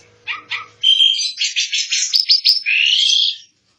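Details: Asian pied starling (jalak suren) in lively kept-bird song: two short harsh notes, then a dense run of buzzy chattering phrases ending in a long rasping rising note.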